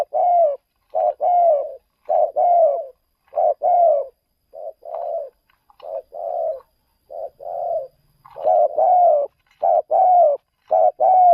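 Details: Decoy spotted dove taken out luring birds in another province, cooing continuously in a fast run of short and long low mellow notes, nearly a phrase per second, with a brief faint rustle midway.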